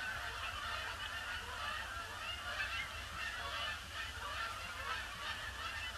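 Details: Canada geese flock wheeling over a pond before landing on a gloomy Boxing Day; dense continuous honking chorus, individual nasal calls blurred together, steady low rumble beneath.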